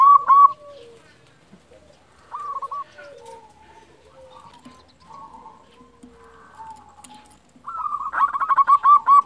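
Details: Local zebra dove calling to raise breeding mood and provoke answering rivals, kept as a tutor and lure bird. A short pulsed phrase opens, soft low coos follow, and a long fast trilled run ends it.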